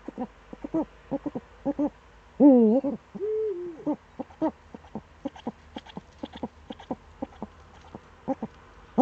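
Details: Eurasian eagle-owl in the Eifel, Germany, on 26 September 2013 around 07:04–07:23 in the morning: many short clipped notes, one loud harsh call sliding downward, then a lower, drawn-out hooting note.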